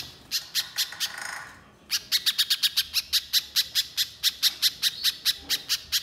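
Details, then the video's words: Fast chip-note song from a little spiderhunter, 'nembak' style: a few sharp notes and a short noisy rustle, then a long sustained string of high, rapid chips. "Pancingan Pijantung Pisang Gacor Agar Pijantung Bahan Cepat Bunyi Nembak Mbeset Rapat"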